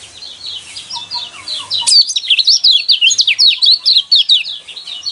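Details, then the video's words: Yellow white-eye (kecial kuning) song used to provoke caged birds: soft high twitters at first, then from two seconds a loud, rapid burst of sharp zigzag whistles repeated about two to three times per second. "burung pleci kecial kuning mana yang nggak kepancing emosinya dengan suara seperti ini"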